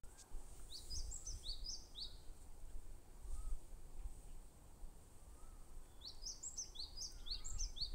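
A bar-tailed treecreeper gives two quick runs of very high, thin, slightly falling notes about five seconds apart, over a steady low rumble of background noise.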